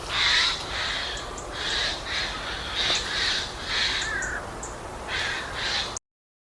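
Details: Eurasian jay in Portugal woodland, a shy bird more often heard than seen, gives its alarm screams: harsh, rasping screeches, about seven short bursts in six seconds, loud and coarse against a quiet background.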